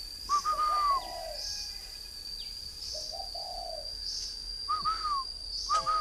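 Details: Three-year-old caged decoy spotted dove, northern Vietnam, giving sparse low coos in two soft phrases, with brief rising whistles between them. A continuous thin high whine runs underneath.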